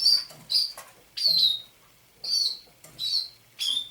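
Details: A thrush nightingale kept in captivity since its capture near St Petersburg in May 2019 sings at dawn in November 2021, giving about six clear, high, falling whistles spaced by short silences.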